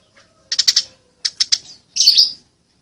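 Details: Eurasian tree sparrow, fighting, heard clearly: two short clusters of three or four sharp chirps, then one harsher, buzzy note, with silence around them.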